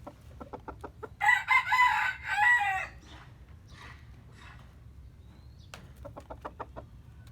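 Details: Chicken crowing in the morning. A few short clucks lead into a strong, rasping crow lasting about a second and a half, then quieter faint calls and a string of clucks.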